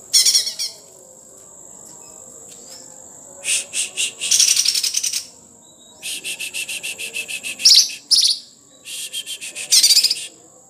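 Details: Sumatran leafbird singing in bursts of rapid, rattling trills and buzzy, scraping notes, with a steady high-pitched whine running underneath between phrases.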